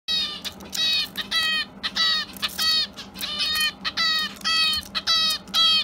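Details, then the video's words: Young hand-fed pet Java sparrow indoors on March 30, its ninth day in the home, crying repeatedly after being left behind by its companion: loud harmonic nasal calls in short bursts, about two per second, with brief pauses. "left behind and continues to cry"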